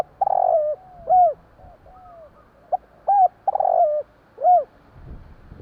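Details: Spotted dove of the Javanese type cooing at night. A purring rolled coo leads into arched hollow coos, with a brief note between, repeating in a steady, unhurried rhythm against a quiet background.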